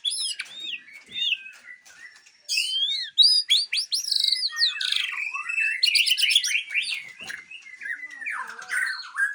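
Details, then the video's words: Captive-bred Aceh white-rumped shama singing a long, varied, energetic series of sweeping whistles, quick upslurred trills and sharp chips, with frequent changes of phrase. "Murai Aceh"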